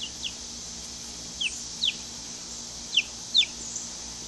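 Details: High, sharply falling cheeps come singly and in pairs from a flock of two-week-old hatchery chicks in a coop, out of doors for the first time, with soft steady hiss between calls.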